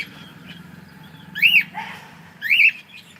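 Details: A cockatiel kept as a pet utters its good morning: two sharp up-and-down whistled notes about a second apart, with a softer murmur between them.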